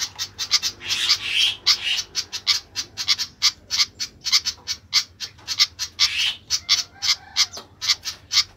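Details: Noisy flycatcher uttering rapid harsh chattering notes, dense and irregular at first with some overlapping, longer rasps, then settling into evenly spaced squawks, over a faint low hum.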